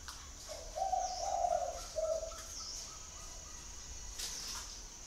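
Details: Spotted dove's soft three-note coo, rolling middle part and short end note, then faint scattered chirps and a steady high background tone.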